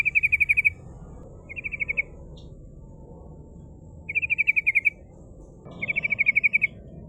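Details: Steadily singing female yellow-vented bulbul, prized as a lure that rivals respond to. Bright rattling trills of quick, evenly spaced notes come in four bursts of varying length, with low background hum.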